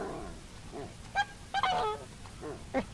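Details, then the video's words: Coscoroba swan calling with short nasal honks, some drawn out and others clipped, scattered over a few seconds against a steady low background hiss. "Canto del Cisne Coscoroba"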